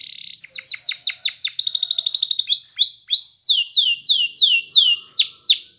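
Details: Training song from a yellow Spanish Timbrado canary: a short buzz, a string of downward-sweeping whistles, a rapid chattering trill, then slower swooping notes repeated about twice a second.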